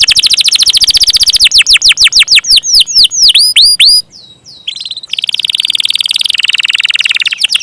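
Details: Canary singing fast rolling swept notes that slow into distinct descending whistles, then a brief pause and a long, rapid buzzy trill.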